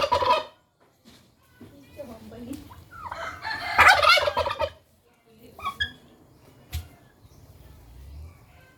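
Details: Single domestic turkey kept alone, behaving aggressively and wanting a mate, gives harsh rattling gobbles in bursts, the loudest near the fourth second, with shorter calls between and a sharp knock.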